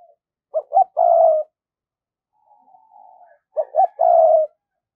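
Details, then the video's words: Spotted dove kept as a decoy gives thúc and gáy calls in the thổ voice to bring wild doves in: two short coos and a long coo, a quiet drawn-out note, then the phrase repeated. "Chim Cu Mồi Thúc + Gáy Gọi Bổi Nhanh Về Cội"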